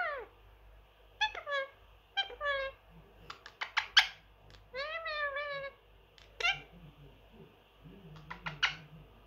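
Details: Three-year-old male Indian ringneck parakeet living as a house pet, mimicking speech: repeated bouts of downward-sliding harmonic syllables and chatter, with quick clicks and short sharp notes spread across nine seconds, low indoor hum beneath.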